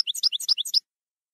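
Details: European goldfinch, campero song style, giving a quick burst of about eight sharp, high, alternating chirping notes in under a second, followed by silence.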